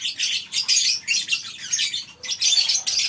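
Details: Lovebirds kept together in a colony aviary on a farm, morning: pulsing bursts of high, harsh chattering from a crowd of birds, rising and falling every half second or so.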